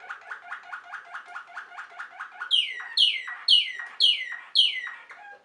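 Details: Waterslager canary, also called Malinois, a Belgian breed kept for its deep, water-like song: quick repeated bubbling notes, then five loud, clear descending whistled swoops about half a second apart.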